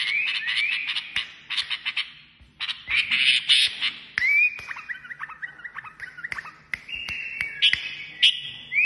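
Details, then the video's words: Kashmiri songbird pouring out buzzy chatter, then a series of short falling whistled notes and long steady whistles, among repeated sharp clicks. "تغريد كشميري"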